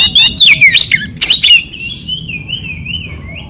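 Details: Oriental magpie-robin (kacer) training song to stimulate silent or stressed birds: loud rapid jumbled whistles and harsh notes, then a long thin wavering whistle rising and falling.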